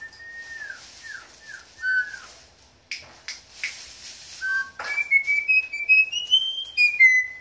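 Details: Trained Campo troupial whistling a hymn tune: several falling slurred whistles, a short pause, then a climbing series of clear, pure notes stepping upward in a melodic phrase before dropping at the end.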